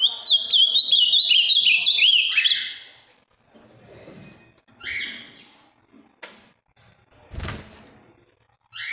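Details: A large, deep-blue male-type Ultramarine grosbeak from Minas Gerais, Brazil, noted for a very firm song, gives a loud, fast warble of clear rolling whistles for about two seconds; after a pause come knocks and rustles, then the song resumes.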